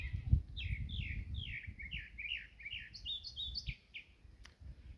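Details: Mockingbirds in Jamaica sing a run of varied, sweet chirped phrases, each repeated a few times, over low rumbling background noise.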